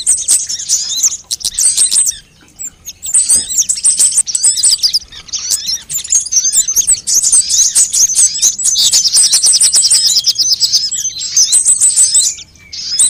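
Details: ['Lure recording of several sunbird kinds, meant to stir birds into song: long runs of shrill twittering and fast high trills, interrupted by short silences near two and twelve seconds, with dense chatter toward the middle.']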